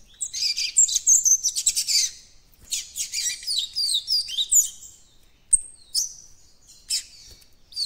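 A young Yellow-bellied Seedeater rambles through high, scratchy twitters and thin whistled notes in loose, unsteady bursts, its song still forming. No other sounds stand out.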